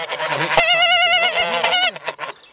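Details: Farm geese in a rowdy mood let out a long, drawn-out, wobbling honk over other lower grunting calls, ending in scattered quieter noises.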